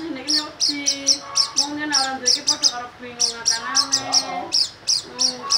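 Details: Oriental white-eye in loud, energetic 'gacor nembak' singing: rapid bursts of sharp, very high chirps repeated roughly every half second, over a steady low, harmonic, voice-like tone running beneath throughout.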